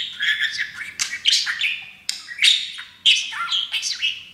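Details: Happy caged pet parakeet practicing phrases taught by his owners, like "Auzzie's a baby bird"; continuous warbling, scratchy mimicked speech with sharp chirps and rising squeaks.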